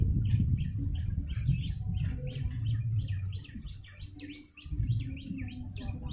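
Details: Lure call of a yellow-bellied prinia: quick, evenly spaced high chirps repeated about three times a second, with a deep background rumble and a brief dip in noise near the end.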